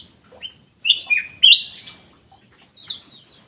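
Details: In an aviary, a black-capped bulbul gives a short run of rich, bright whistled notes sliding downward, then a fainter high phrase, with light background twittering.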